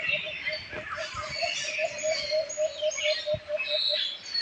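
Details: Wild birds chirping in a busy mixed chorus of high, quick tweets and short trills, over a low rapid pulsing call repeating several times a second and a couple of soft thuds.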